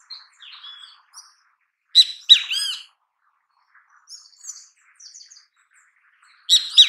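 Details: Great kiskadee in natural habitat: soft thin whistles, then a loud harsh phrase of three ringing notes, quiet high chips, and a fresh strident note starting at the end.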